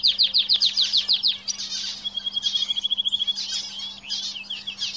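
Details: Canary song from a cage, opening with loud rapid trilled notes, then a level whistle and more bursts of quick chattering trills, with a constant faint hum behind.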